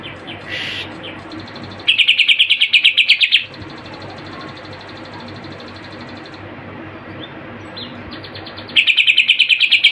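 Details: Greater green leafbird singing with imitated Kapas Tembak and Cililin phrases: two bursts of rapid, evenly pulsed high chirps, about three a second, separated by a long stretch of steady background hum and a brief earlier squeal.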